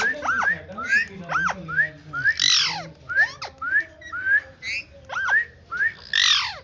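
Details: Green ringneck parrot talking: a run of short, sharply rising whistled notes that sweep up and fall back, with harsh raspy squawks breaking in about every two seconds. Soft low hum underneath.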